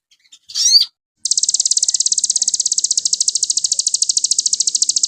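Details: Crested jay on a master recording used for training songbirds: a brief chirp, a short pause, then a long, even, high-pitched rattling trill of rapid pulses that continues unbroken to the end.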